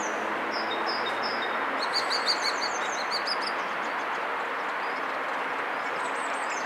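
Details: Common starling, a good mimic, singing among other birds: a jumble of thin high whistles, clicks and rattling chatter that rises into a busier burst midway, over steady distant noise like traffic.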